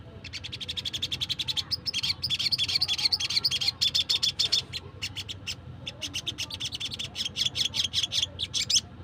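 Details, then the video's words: A wild crimson sunbird (sogon) call, suited for luring sogon birds: rapid, very high, thin ticking trills in bursts of about a second, with brief pauses and no other sounds. "PANGGILAN SOGON LIAR"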